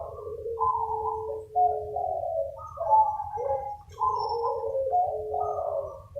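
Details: Chorus of local zebra doves calling and answering one another, recorded as a lure sound; layered purring, trilling coos in repeated bursts, with a faint low background hum.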